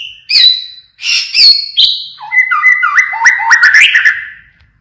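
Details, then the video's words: Pied 'blorok' White-rumped shama in full song: clear high whistled notes, then a rapid flowing run of jumping, slurred whistles rising toward the end. "Keluarkan tembakan Sirine | Murai batu blorok Gacor"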